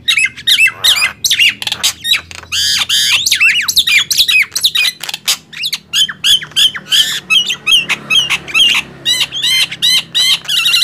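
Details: Two mynas, a Nias hill myna and a black-winged myna, trade loud song in a singing contest: nonstop wavering whistles, harsh squawks and clicks in a dense, restless stream.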